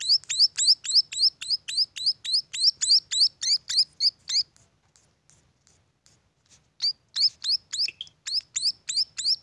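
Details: Munia chicks chirp rapidly in high, sharp notes, break off into near silence for about two seconds, then start the fast repeated chirping again.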